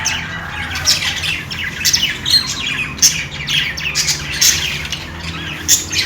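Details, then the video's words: Budgerigars playing and chirping: a steady stream of bright, high warbled chirps and short squeaky notes, several birds overlapping, with a faint low hum underneath. "Australian parrot singing | love birds sounds | parakeet chirping sounds | budgies playing sounds"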